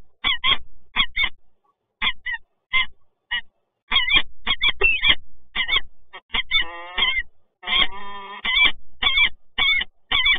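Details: Peregrine falcons, the resident birds meeting at a Toruń power plant in Poland, 26 August 2022. Many short, harsh, clipped calls in irregular bursts, with two longer drawn-out wailing notes in the middle.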